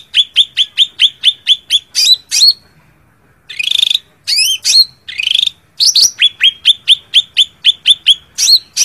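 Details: Cak ranting challenging a rival: a steady series of sharp, high chips about six per second, then buzzy rattling phrases and rising whistles, before the rapid chip series resumes.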